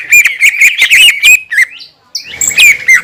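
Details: Green leafbird delivering a fast, provoking song for other green leafbirds: bright twittering chirps run together, a brief pause, then rising whistled notes and more chattering twitter.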